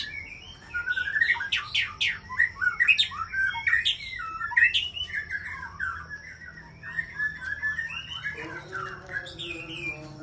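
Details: Aceh white-rumped shama from champion breeding stock singing a long, rich, varied phrase of quick warbled and whistled notes that rise and fall, loud through the middle and softer toward the end.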